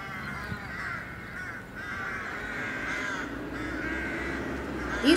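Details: Rooks in a city nesting colony in tall trees in Serbia, early spring, communicating while collecting twigs for nests: a continuous run of harsh, overlapping caws, with a man's voice talking throughout.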